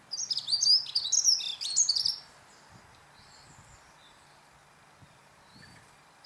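A Dunnock gives a fast, high, jingling warble of about two seconds with little variation, followed by quiet and a few faint distant chirps.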